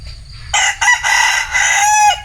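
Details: Bantam rooster crowing: a loud, harmonic, rasping crow that starts after half a second of quiet, breaks briefly, then holds a long, strained, slightly wavering note before cutting off, over faint low background rumble.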